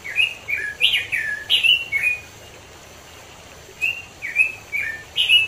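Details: Wild robin from the East Java mountains giving rapid sweet warbles, slurred up and down in quick bursts, then a pause and another burst of whistled notes.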